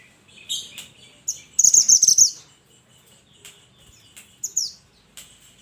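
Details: Mountain mantenan calling companions, mixing high, falling notes with a fast, rattling burst of rapid repeated chips lasting under a second.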